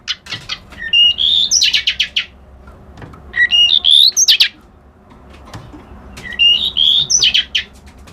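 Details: Reed warbler with a white eyebrow singing three similar loud phrases about three seconds apart, each a high whistled slur followed by rapid chattering, scratchy notes, with pauses between.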